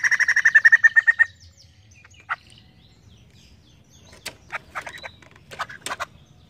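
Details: A short run of quick pulsed notes from a White-crested laughingthrush, followed by scattered faint clicks and chips over low background rumble.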